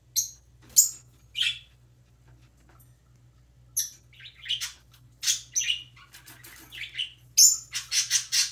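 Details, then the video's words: A baby parrotlet preening and chirping: short, high chirps and squeaky notes in irregular bursts, faster and denser toward the end, with a faint low hum underneath. "parrotlet preening and chirping"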